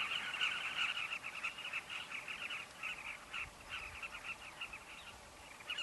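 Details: Carmine bee-eaters at their breeding colony at a safari camp, chattering in quick overlapping bursts about three per second. The chorus thins and swells unevenly before growing loud again at the end.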